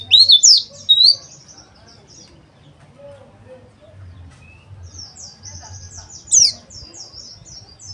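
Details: Oriental white-eye played to stimulate rough twittering: sharp, high chirps open the recording, then a quiet run of rapid high notes and another loud chirp near the end, over low background hum.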